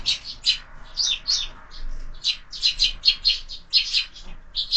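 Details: Sparrows at a window feeder in the evening, supper under way; quick runs of bright, clipped chirps, often in pairs and triplets, fairly loud and close, with a quiet background.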